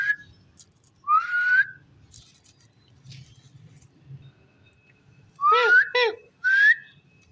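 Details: Rose-ringed parakeet talking in a quiet room: one rising whistled word, a long pause with faint rustling, then three quick speech-like syllables close together.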